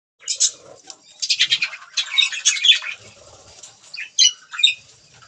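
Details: Pet budgerigars chirping while eating green food: short bright chirps and squeaky warbles in bursts with brief pauses, a few soft low knocks between.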